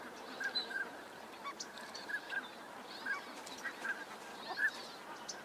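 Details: Courting Northern pintail flock in California's Sacramento Valley, drakes displaying on the water and in aerial chases; short piping whistles repeat irregularly, roughly one every second or two, above a dense, continuous chorus of distant waterfowl.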